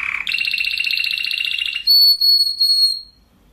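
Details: Spanish Timbrado canary singing, recorded to teach other canaries: a short low note, a fast tight metallic roll lasting over a second, then pure sustained whistles broken by short gaps.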